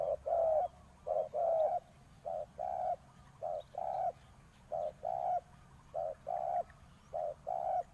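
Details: A decoy spotted dove calls to lure wild doves. It gives low, mellow coos in groups of two or three, each group lasting about a second, repeated steadily about every 1.2 seconds in a quiet rural setting.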